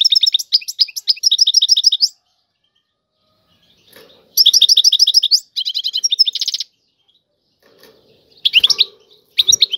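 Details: Goldfinch Tiwawati song broken into short bursts: an even run of repeated high pulsed notes, then several briefer chattering phrases with gaps between them and faint low rustling sounds.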